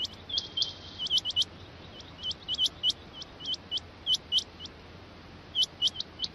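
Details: Repeated Rain quail calls: clipped, high, rising notes in pairs and triplets, spaced by short gaps of about a second, against soft background hiss.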